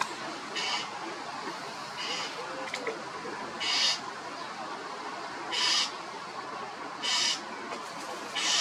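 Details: Loud calls of a common starling, Sturnus vulgaris: six harsh, rasping screech bursts at uneven intervals of one to two seconds, with a soft noisy background between them.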